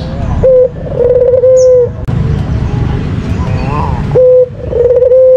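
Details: White dove lure call: a brief note and a long level coo open the recording, then a stretch of noisy background before the short note and drawn coo return at the end.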